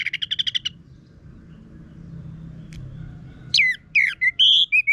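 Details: Harsh-voiced Orange-headed thrush song used to coax caged birds into full song: a quick string of about seven buzzy repeated notes, a quiet gap, then loud sweeping whistles and a clear high drawn-out note.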